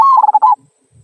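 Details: A single "kung" phrase from a local zebra dove, the song used as a prompt to get other birds singing: a loud, bubbling, pulsed coo lasting about half a second, then quiet.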